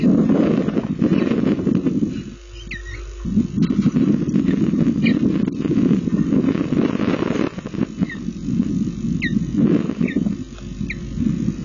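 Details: Osprey at a nest filmed by camera in Lipka, Poland, on 25 June 2016 at 15:54, bringing a fish for its chicks; thin, sharp, rising whistled chirps at irregular intervals over steady loud rumbling wind noise.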